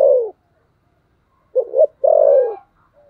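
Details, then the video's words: Cu gù đấu, a spotted dove's fighting coo: the tail of one falling coo, a pause, then a quick pair of short notes and a long, rich coo that drops in pitch. "thổ sấm gù/ Cu gù đấu"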